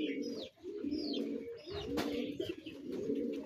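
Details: Spotted dove giving low, hollow, rhythmic coos, about one per second, with thin high chirps of other birds and a sharp click partway through.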